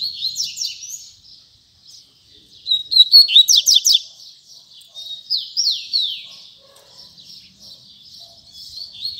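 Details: Double-collared seedeater, kept in a cage, sings the Tui Tui Zel Zel style. Bright high whistles and short trills are broken by a burst of rapid, steep downward chirps, then slurred whistled phrases again. A faint low murmur sits in the background.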